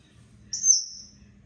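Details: Pet African grey parrot, a talker that calls out its own name, gives one very high, thin whistle that starts sharply, holds steady and then tapers away.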